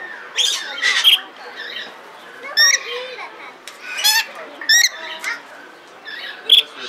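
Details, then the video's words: In Belgrade Zoo, Serbia, during 2022, a caged red lory utters harsh, grating squawks in irregular bursts, some paired, with quieter twittering and background murmur between them. "Papagaj crveni lori│Red Lory│Eos rubra"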